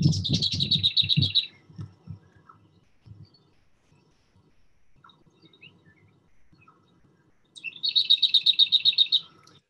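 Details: Lesser Whitethroat song, a summer migrant in Sussex: a dry, fast rattle on one pitch, given twice with a pause between, and a man's voice talking before the first rattle.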